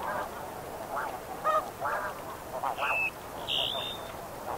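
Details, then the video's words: Close-up Snow Goose flight calls: loud, separate nasal honks about every half second, some with a sharp barking edge, over a murmuring flock, with a few thin whistled notes from another bird. "Snow Goose. CU Flight Calls With MD Flock Calls."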